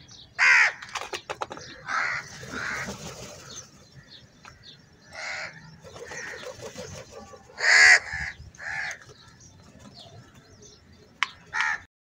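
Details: A large group of crows fighting over food, giving harsh, loud caws in separate bursts about every one to two seconds, with quieter calls and background noise in between.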